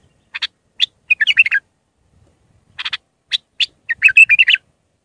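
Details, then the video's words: Iraqi bulbul singing raw Mandalawi phrases for young bulbuls to learn: paired chirps lead into a fast fluty warble, repeated after a gap with spaced notes and a longer rolling flourish. "تغريد بلبل عراقي خام مندلاوي راقي ساعة كاملة التعليم افراخ البلابل"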